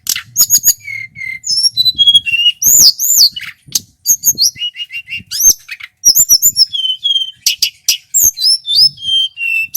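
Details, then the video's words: Male local Sunda whistling thrush from Merapi, used as a lure to set birds singing: loud, clear, high whistled notes, slurred rising and falling phrases and rapid chip series, varied and nearly continuous. "Suara burung TLEDEKAN GUNUNG lokal GACOR"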